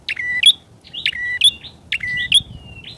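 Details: Bar-winged prinia lure call, three loud phrases in three seconds, each a harsh click, a flat whistled note, then a sharp upward squeak.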